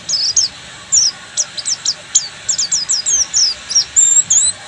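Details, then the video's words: Oriental white-eye in Buxtomi form delivering ngeriwik song of crisp high chips and short trills in rhythmic groups, ending in drawn-out thin whistled slurs. "SUARA BURUNG‼️PLECI BUXTOMI FULL NGERIWIK"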